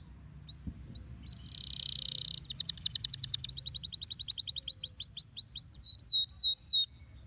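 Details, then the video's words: Canary song used to stimulate lazy canaries to sing: a few rising whistles, a brief buzzy burst, then rapid trills of sweeping notes that slow into separate looping whistles. "estimular o som de canários preguiçosos"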